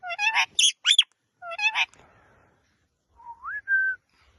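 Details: Pet rose-ringed parakeet talking: rapid, high, speech-like syllables in short bursts over the first two seconds. After a pause comes one clear whistle that rises and then holds level.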